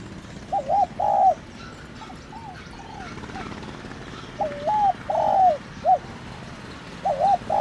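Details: Spotted dove calling in the 'thổ đồng' style to rouse a decoy bird: repeated low three-part coo phrases, some soft and some loud, over a steady low mechanical hum.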